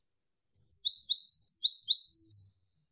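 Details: Javan sparrow song, tight and rapid: a two-second string of high thin whistles alternating with sharp descending chirps, closely packed, in a clean quiet background.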